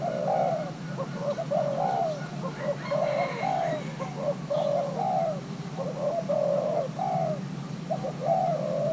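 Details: Spotted dove, a young Thai-crossbred male being paired, is stirred to coo. Its steady series of deep, rolling two- and three-note phrases repeats roughly every second and a half, with faint bird chirps behind.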